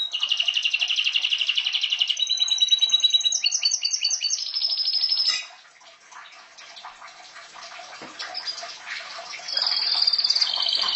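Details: Pet canary singing: about five seconds of loud, rapid high trills in several tours, each a different fast repeated note, then a quieter stretch of soft twittering before a bright buzzy trill returns at the end.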